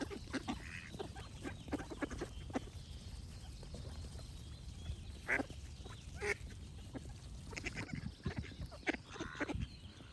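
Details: Duck quacks come in scattered bursts of short rasping notes, with a few louder, longer calls standing out midway and toward the end against a low rumbling background.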